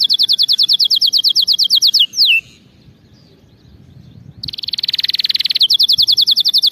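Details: Canary singing, used to train canaries to sing correctly: a rapid even trill of repeated notes ending in a downward slide, a brief pause, then a buzzy burst leading into another fast trill.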